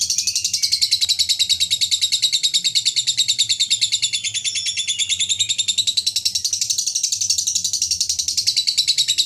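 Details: Long ngekek chatter from a lovebird, the contest-winning style: a continuous shrill, buzzy trill of rapid pulses sustained for over nine seconds without a break, steady and bright throughout, with a quiet low background hum.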